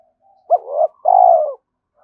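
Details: A single low coo phrase from a spotted dove used to lure other doves: a short clipped note sliding into a hoarse middle section, then one long steady mellow coo that fades away.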